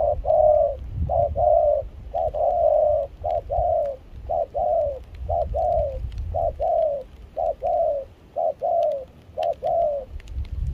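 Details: Spotted dove in Kon Tum, Vietnam, a wild-caught decoy singing through rain and cold wind with a mixed foreign-style voice: a long, regular run of paired coos, short note then longer falling note, evenly spaced, faint wind rumble.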